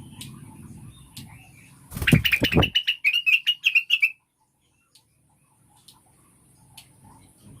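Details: Blue-winged Leafbird (cucak wilis or rengganis), lure sound for stimulating caged birds to sing. A loud rustling thump is followed by a quick run of high, slightly wavering chirps; a low background hum and faint ticks surround it.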